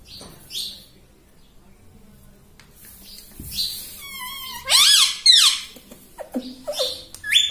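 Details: Talking rose-ringed parakeet, taught to say "mummy": quiet at first, then a loud cluster of rasping, ridged syllables and a rising harmonic squawk, then scattered short squeaky notes.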